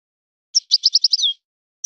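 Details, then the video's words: A short phrase from a European goldfinch singing in a breeder's song style: about five quick high chirps, then a drawn-out falling slur, followed after a pause by a single chirp. The background is silent. "طائر من طيور لي تاتغرد على نمط طيور سي حسن الكلوب ولد الغابة"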